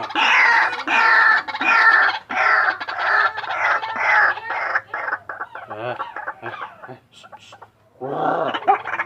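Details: White-breasted waterhen making a strange call: a run of harsh, raspy croaking notes repeated about one and a half times per second for six seconds, then a few short scattered notes, a brief pause and a final rough burst.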